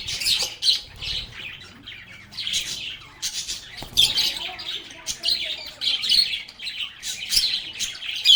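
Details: A group of lovebirds singing, playing and talking, giving a steady stream of shrill chirps and scratchy squawks in uneven bursts, with brief sharp clicks standing out between calls.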